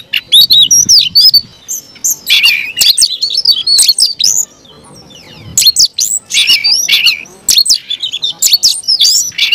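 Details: Caged Oriental magpie-robin singing an aggressive fighting song: bursts of sweet slurred whistles mixed with harsh clicks and rasps, separated by brief pauses, loud and energetic.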